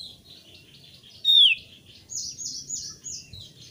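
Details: Thick-billed white-eye in energetic 'gacor ngeplong' song, meant to prompt other white-eyes to sing. A bright, falling whistle is followed by a quick series of high, sweet chirped notes.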